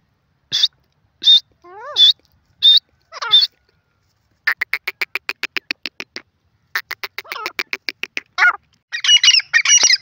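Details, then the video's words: Grey francolin, known as teetar, calling: several loud high notes, then rising slurred notes. These give way to fast runs of rapid clicking pulses and a final burst of harsh, shrill notes. "grey francolin bird call teetar bird beautifull calling"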